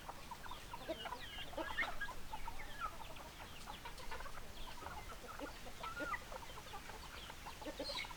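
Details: A farmyard flock of hens and roosters clucks continuously: a crowded mix of short clucks, squeaks and occasional curling higher calls over a steady low background rumble.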